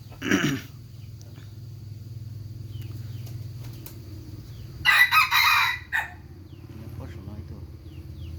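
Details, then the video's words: Rooster crowing: a short harsh burst at the start, then one loud, rasping, drawn-out crow with a brief tail note. Small birds chirp faintly over a steady low hum. "suab qaib qua zoo nawb"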